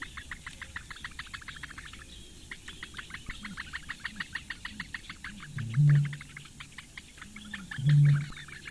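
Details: Four Eurasian bittern chicks fed by the female at their Lake Engure reedbed nest, Latvia, morning of 15 May 2017; fast ticking calls pause briefly, then resume, while two loud low droning bursts intrude near the end.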